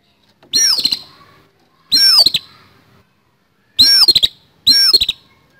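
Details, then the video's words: Four loud, coarse bursts from an oriental magpie-robin's fighting song, each a swept whistle overlaid with quick rattling clicks, spaced one to two seconds apart in otherwise quiet surroundings. "KACER TARUNG ISIAN KASAR"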